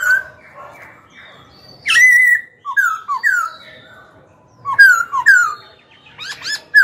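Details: Caged young Black-throated laughingthrush singing to stir rivals into fighting and train young birds. Loud whistles, some long and level, others short, falling and bouncing, arrive in quick clusters. Brief pauses separate the clusters.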